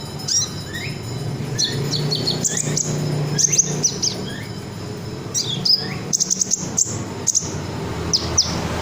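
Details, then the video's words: Red sunbird, a kept songbird in the ngobra style, used as a tutor song for other cage birds; thin, very high sharp chirps and short downslurred whistles in quick irregular bursts, with steady low hum underneath. "Burung Kolibri Ninja Dada Merah Joss , isiannya Mantap , Red Sunbird"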